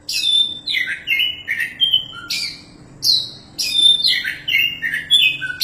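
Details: Oriental magpie-robin, a caged champion bird kept for training other songbirds, singing loud varied phrases of clear whistles and buzzy notes, falling and rising, delivered in quick bursts about every half second with a faint steady hum behind.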